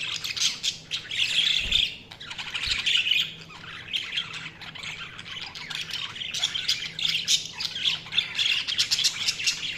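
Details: Continuous budgerigar chirping: a busy, buzzy warble of many overlapping high twitters rising and falling in loudness, with two brief dull knocks near two and three seconds.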